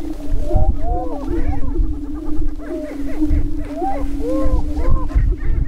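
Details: Several Greater Prairie-chickens on a lek in northwest Minnesota near Crookston, April 27, 2013, during the spring mating dance: a steady low moaning drone under many overlapping rising-and-falling whoops and cackles, with low rumbling noise.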